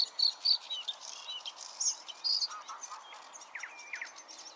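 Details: Bluethroat recorded at Klingaväl on 16 May 2022: a varied run of high, sharp chirps and ringing notes, some buzzy, delivered in quick irregular bursts, with lower twittering notes later and a faint hiss behind.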